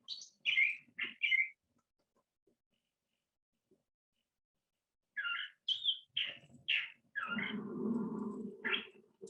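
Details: A male California Thrasher sings his mixed song, weaving in imitations of other chaparral species: a quick burst of scratchy chirps, a long pause, then varied harsh phrases over a steady low droning hum near the end.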